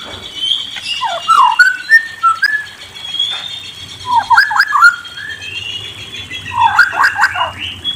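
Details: White-rumped shama singing three separate bursts of tumbling, slurred whistles divided by short quiet gaps, over a faint low hum.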